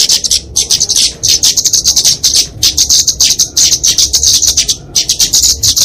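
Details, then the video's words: Kemade flowerpecker fighting song for training and luring songbirds: brisk, very high chattering trills in bursts, with a short break near the end. "Kicauan Kemade Tarung Untuk Masteran&Pikatan Burung Kecil"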